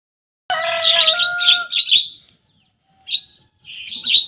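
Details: Young Javan myna singing energetically and imitating rivals' songs: after half a second, a steady harmonic tone opens a burst of harsh chattering notes, then brief scratchy phrases resume after a short pause.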